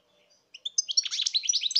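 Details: European goldfinch song recorded in 2019: after a faint start, a fast tumbling run of high tinkling, twittering notes begins about halfway through and continues to the end.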